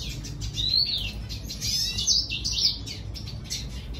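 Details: Red siskin song of high, thin whistles and buzzy twittering bursts, including a clear rising slur, set over a soft constant low hum.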